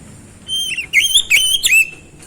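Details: Oriental magpie-robin delivering a rich, varied series of whistles: a steady high note, then fast rising and falling warbled phrases in four bursts, loud and clear.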